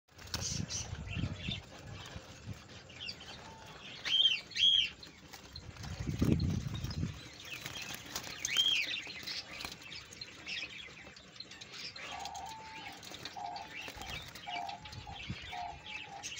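Budgerigar giving scattered high, chirpy warbling calls, with some wing flutters and low thumps.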